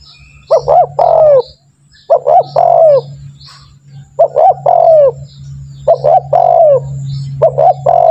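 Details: Tekukur (spotted dove) calling, played to train birds to call readily; five evenly repeated phrases, two short notes then a long falling coo, over a constant low droning hum.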